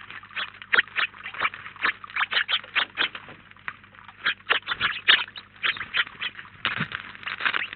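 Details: A large flock of house sparrows, about nineteen birds at a feeder in Collado Villalba, Spain, keeps up brisk, evenly spaced loud chirps, several per second, almost without pause.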